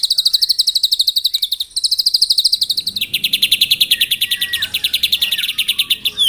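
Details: White-rumped shama singing in the morning to challenge rivals: dense machine-gun trills at high pitch, stepping down to a lower rapid trill halfway, soft slurred whistles in the background.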